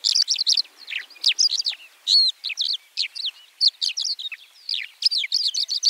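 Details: White-winged lark singing: a rapid, continuous jumble of high, sharp twittering and chirping notes with buzzy slurs, delivered without pause across the whole stretch, no other sounds.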